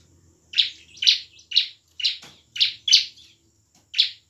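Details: Bar-winged prinia in full emotional gacor song used as a lure; seven evenly spaced harsh chip notes, about two per second, with a brief click and low background hum.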